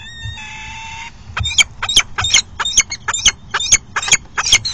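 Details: Male peregrine falcon arriving at a nest box with food, calling to the female, 22 August 2018: a drawn-out wailing tone, then a rapid run of sharp, harsh chipping notes about three per second.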